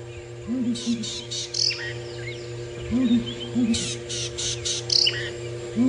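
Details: Wild female Southern Ground Hornbill, thought to be a lone bird, calling at dawn on 21 February 2018 in Djuma Game Reserve, Sabi Sand, South Africa. Low, hollow hoots come in double and triple groups every few seconds, with buzzy bursts and chirps from other birds and a steady engine hum.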